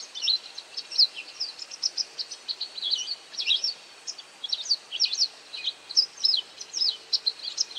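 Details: White wagtail calling while feeding on insects: a near-continuous run of sharp, high, slurred chips, doubled and tripled, loud and close, with quiet hiss behind.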